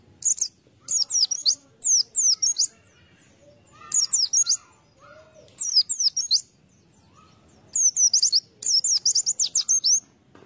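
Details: A white-eye, used as lure material, sings high, thin, rapid twittering phrases in bursts of about a second, repeated with short pauses; a few lower whistled notes are heard faintly.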